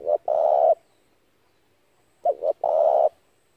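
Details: Spotted dove calling as a trapping lure for wild doves: two close, loud phrases of clipped short notes leading into a drawn-out mellow coo, separated by about a second and a half of silence.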